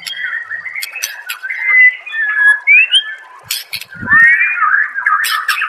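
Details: White-rumped shama song from a master recording used to train songbirds: loud, varied whistled phrases, some rising and sliding, broken by sharp clicks and a brief low thump.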